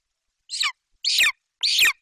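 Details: Golden eagle chick, a young bird in a Bucovina nest tree, screaming with excitement as its mother flies in carrying a Eurasian magpie; three harsh, high screams, each about a quarter second, the first one fainter.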